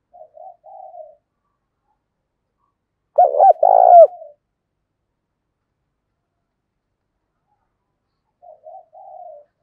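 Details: Cooing of a decoy spotted dove, 'thổ' voice, used daily to lure wild birds: quiet three-part coos at either end, one loud gravelly coo phrase in the middle, long silence around it.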